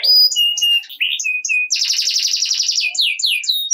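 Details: Canary in loud 'gacor ngerek' song, used to prompt lazy canaries to start singing. High whistled notes and steady mid tones lead into a dense, buzzy rapid trill, then quick descending slurred sweeps.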